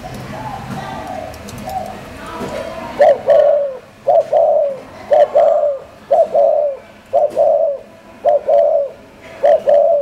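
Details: Spotted dove kept in a Hanoi collection, Vietnam, giving Thổ-style cooing: soft indistinct sounds at first, then seven steady phrases of a brief opening note joined to a fuller drawn-out coo, repeated roughly once a second in a quiet room.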